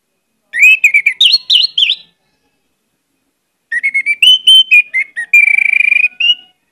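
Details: Orange-headed thrush in continuous gacor singing with many isian (varied fill phrases), used as a pancingan lure recording: two bursts of rapid, clear whistled notes, rising, falling and warbling, with a sustained whistle near the end, separated by about a second and a half of silence.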